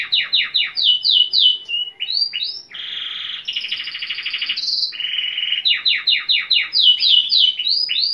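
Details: Agitated canary, described as Timbrado, sings loudly: fast runs of sharp descending notes, then long buzzy, metallic rolled trills, before the rapid note series returns.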